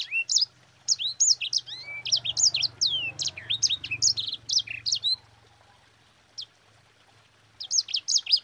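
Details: Fast sanger song of twisting whistled notes and chirps over a faint low hum, fading to a lone note and silence before a final short burst. Kept as a tutor song for other birds.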